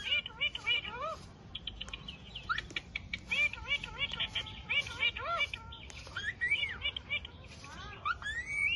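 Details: Alexandrine parakeet talking: a rapid run of harmonic, speech-like chirps and warbles, many bending upward, tumbling out about three per second with brief gaps, plus a few higher whistled slurs near the end.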